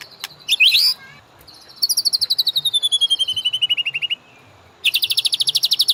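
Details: White-rumped shama singing as a training master for caged birds: a brief sharp whistle, then a long evenly pulsed trill slowly falling in pitch, a pause, and another dense high trill.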